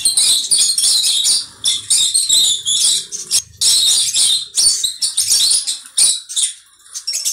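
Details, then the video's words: Conure giving harsh, raspy screeches in loud bursts of about half a second to a second, separated by short pauses and repeated steadily through the recording. "Conure bird"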